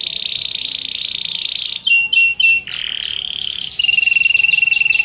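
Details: Canary singing, one of many canary types: a long level buzzy trill, short clipped notes, then a series of quick falling sweeps and a sustained rattling tour.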